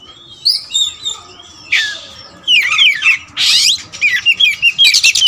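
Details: Caged white-rumped shama of the black kacer wulung raja type, a songbird with a varied repertoire, sings a mix of clear rising whistles, slurred notes and harsh buzzy bursts, ending in rapid repeated chips.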